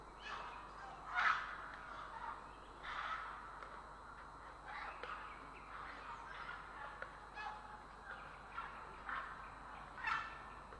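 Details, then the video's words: Grey heron calling in Estonia on 3 April 2017: scattered rasping, croaky squawks at irregular intervals, the loudest near the start and again near the end, with softer harsh notes between them over low background hiss. "Grey Heron"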